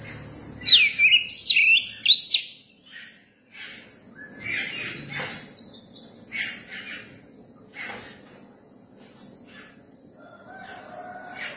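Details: Young Oriental magpie-robin singing one loud phrase of looping whistled notes near the start. Faint scattered chirps and chatter follow over quiet background noise.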